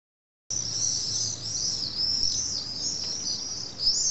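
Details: Common swifts at a wall nesting colony in Nice, France, around 21:25 on a July evening as they go in to roost; continuous shrill, high screaming trills over faint background hum.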